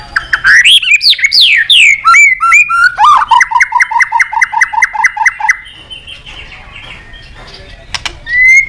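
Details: White-rumped shama singing to call a rival: rich swooping whistles, then a long even series of about fifteen repeated two-part notes, followed by quiet pause and a final rising whistle.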